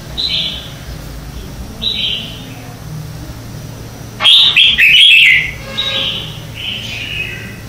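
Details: Red-whiskered bulbul contest-style morning song for training birds; soft whistled phrases recur every couple of seconds, then a loud, rapid burst of rich warbled notes, followed by further quieter slurred phrases over a low hum.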